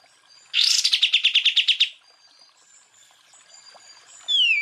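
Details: Cucak ijo, the greater green leafbird, giving full tembakan song for masteran tutoring of other birds: a rapid train of about twelve sharp, evenly spaced chirps lasting over a second, then faint high whistles and a descending slurred note.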